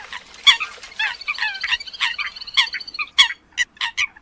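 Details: Eurasian coot calls: a dense stream of short, clipped, nasal notes from several birds overlapping, with sharper louder accents near the half-second, one-second and three-second marks; no other sounds.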